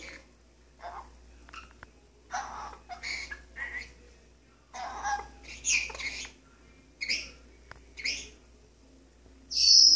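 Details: Indoors, a male pet Maximilian's pionus parrot sings segments of songs he knows while perched on a kitchen faucet: a string of varied warbled and chattering syllables, ending in a loud high whistle.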